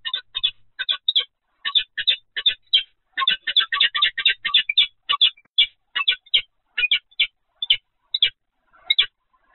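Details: Peregrine falcon at the Evoluon site on 7 February 2020, 15:55, calling in a fast, steady run of harsh, clipped kak notes, about two to three per second for nearly ten seconds.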